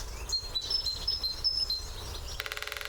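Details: Great spotted woodpecker drumming on its favourite drumming post: a short, very rapid roll of hard taps at the end, preceded by thin, high whistled notes from another bird against a quiet rural background.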